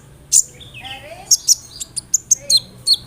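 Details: Kolibri ninja sunbird song, played to make other sunbirds answer: a sharp high note, then a thin descending trill and a run of short bright chirps every few tenths of a second, over faint low hum.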